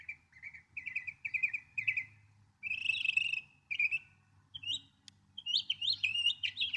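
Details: Northern mockingbird song: rapid repeated phrases, a few chattering notes given in sets, then a harsh buzzy burst and rising, swooping whistles toward the end.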